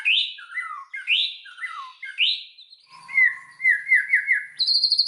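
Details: White-rumped shama song used as a lure to provoke other shamas into full song: loud rich whistled phrases sweeping down, repeated about once a second, then a trilled warbling run and high thin notes.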